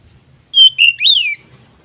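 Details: Oriental magpie-robin (kacer) ngeplong song for raising mating drive: one clear phrase of a long level whistle sliding into a rising then gently falling slurred note, loud against near silence.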